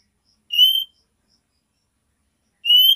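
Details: Nyiul call of a female oriental magpie-robin summoning the male: two brief, pure, gently rising whistles about two seconds apart, with a few faint ticks in between.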